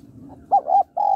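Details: Female spotted dove calling to stimulate the male: three soft, mellow coo notes, the first short and the last drawn out and steady, over a faint low hum.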